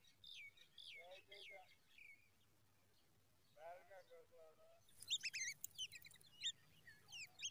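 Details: Babbler chicks begging for food: squeaky chirps, two short lower chattering bursts, then a loud, dense rush of high, rapid begging squeaks.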